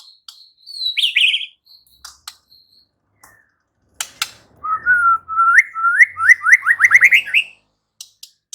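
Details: White-rumped shama unloading its repertoire in reply to shama song: a loud descending whistled phrase, scattered clicks and soft notes, then a rising series of quick slurred notes that accelerates into a trill.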